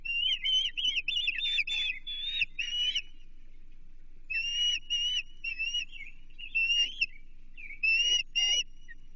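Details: Osprey at a Chesapeake nest on 28 June 2023, calling as an American shad is brought for feeding; loud whistled chirps in rapid runs, a burst over the first three seconds, then more strings after a pause, with faint low hum beneath.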